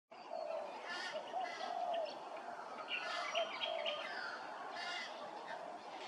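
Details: Grey-crowned babbler at Hervey Bay, Queensland, giving harsh, nasal, chattering bursts with stacked overtones, spaced about every second, over a steady low droning hum throughout.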